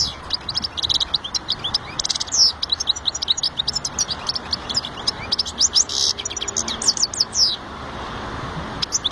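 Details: Goldfinch delivering a long, dense run of rapid high twittering, with tinkling, buzzy notes tumbling almost continuously for about eight seconds before trailing off against a low background hum.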